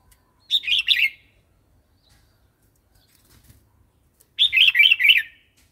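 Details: Wild-style song of a red-whiskered bulbul, used to stimulate new or wild-caught birds and tutor youngsters: two brisk, bubbly phrases of rapid chirping whistles about four seconds apart, each under a second long, with near silence between.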